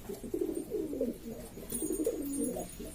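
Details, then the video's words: Flock of domestic pigeons from Lombok, Indonesia, cooing continuously: low, bubbling, wavering notes overlapping in a dense murmur, with a faint high tone above. "burung merpati ini ribut sendiri"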